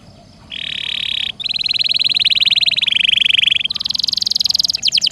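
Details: Singing canary used to tutor magpie-robins, delivering a lively rolling song: long, rapid pulsed trills held steady for a second or more, shifting pitch between segments, ending in quick descending sweeps. Faint low background murmur.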